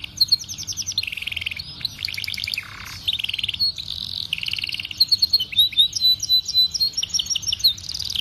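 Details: Belgian canary tutor song for training young canaries: a fast, varied song of rapid trills, rolling buzzy phrases and sharp chirps, with bright high notes and almost no pauses.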